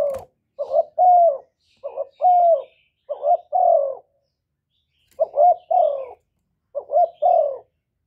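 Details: Loud spotted dove song, recorded clean, meant to urge caged doves into cooing: paired short hoots followed by a drawn-out falling coo, phrases repeating about once a second, then a brief silence before two more.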